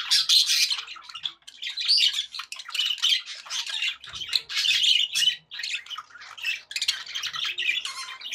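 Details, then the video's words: Pet budgerigars chattering happily indoors: dense, scratchy warbling with squawky bursts and fast chirps, nearly continuous with brief pauses, several birds overlapping. "happy budgie sounds"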